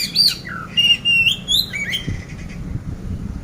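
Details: Oriental magpie-robin from Magelang, Central Java, Indonesia, a competition-ready bird with a coarse 'isian kasar' song fill: loud clear whistled notes, a high slurred phrase, then level and rising whistles around mid-pitch, ending in faint chatter.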